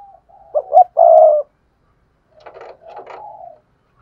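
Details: Spotted dove used as a lure bird to make other doves coo quickly: a low, hollow cooing phrase of two short notes and a longer drawn coo, followed by a quieter, rougher coo phrase.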